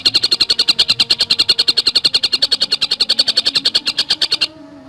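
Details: Long continuous stream of fast, high chirping notes from a Javan cuckooshrike, roughly four per second for over four seconds, then stopping into quiet; tight, speedy song style.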